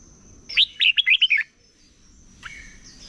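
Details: Morning competition song from a wild-caught red-whiskered bulbul in voice training: one quick phrase of about six bright, bouncing whistled notes, then a faint distant call over a steady high tone.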